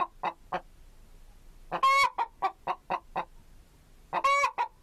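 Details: Chicken (Gallus gallus) clucking steadily in short, clipped notes. Two loud, ringing squawks break in, one near the middle and one near the end.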